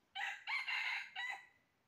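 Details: Red junglefowl crowing during trapping, recorded 20 January 2023: a loud, harsh crow in four bursts, a short opening note, a brief break, then a long sustained middle part and a clipped final note, against a quiet background.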